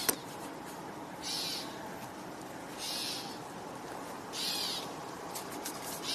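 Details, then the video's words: On 21 June 2025 a Gray Catbird vocalizes behind the observer, giving three thin, slurred mewing calls about a second and a half apart over a steady rushing hiss. "again. That's a gray cat bird that's vocalizing behind me."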